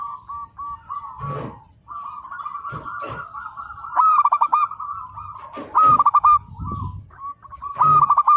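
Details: Zebra dove of local stock singing actively, used as a master recording for training: soft cooing notes, then loud stuttering rolled phrases repeated about every two seconds, with scattered thumps.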